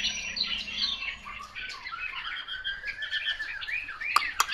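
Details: Softer, more distant-sounding Chinese hwamei song of varied whistled phrases, with a couple of sharp clicks near the end.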